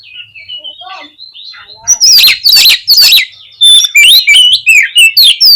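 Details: Song of an oriental magpie-robin, played to stir lazy birds into opening their tails and fighting: a soft wavering whistle leads into loud bursts of buzzy notes and bright, sharply rising and falling whistles.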